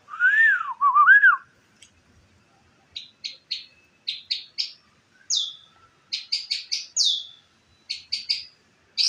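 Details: White-rumped shama (murai) song, played as a master recording to train other birds: a loud, looping, slurred whistle followed by a pause, then sharp, high chirps in short clusters of two or three.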